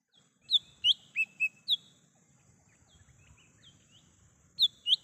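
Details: Song of a wild lesser green leafbird, used to lure and call birds: five bright whistled notes, some dropping in pitch, then a quiet stretch with soft background murmur before two more notes.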